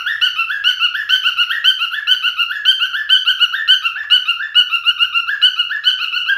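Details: Male cockatiel song: clean whistled notes chained quickly, each swooping up then down, in a steady bouncy rhythm about twice a second.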